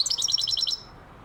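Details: European goldfinch giving a fast twittering run of about ten high, bright notes in under a second, each a quick chirp falling then lifting, then stopping abruptly into quiet background.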